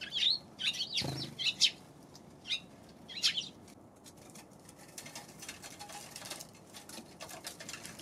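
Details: Eurasian tree sparrows, January 11, uttering short, high chirps in small groups over the first few seconds, followed by a long stretch of faint rustling and ticking.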